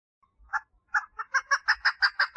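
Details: A female chukar partridge calls to attract a mate, starting with hesitant soft clucks and building into a rhythmic series of loud, grating notes; faint low thumps in the background.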